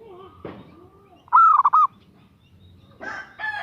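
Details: One call from a female zebra dove seeking a male: an extended note followed by several quick clipped notes. Scattered other faint calls and noises come before and after.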